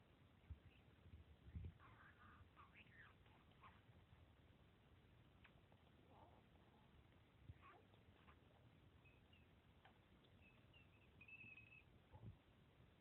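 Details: Taco, a 7-month-old male budgerigar talking for only two weeks, murmurs soft, scratchy mimicked words (his name, "pretty bird") and kissy noises with chirps, a thin whistle near the end.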